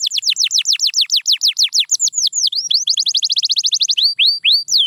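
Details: Canary singing, a training sound meant to get silent canaries singing again. Rapid downward-swept whistles repeat several times a second, then change to looping dipping notes and a fast even trill.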